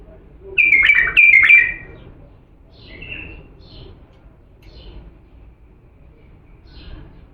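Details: Authentic Diyala bulbul song for teaching chicks: two quick, loud, bright warbled phrases in the first two seconds, followed by soft, faint, scattered notes.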